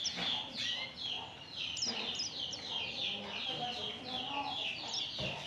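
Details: Oriental white-eye chattering used to prompt other birds into song: bright high notes slide downward in steady rapid runs, crowded together with barely a gap.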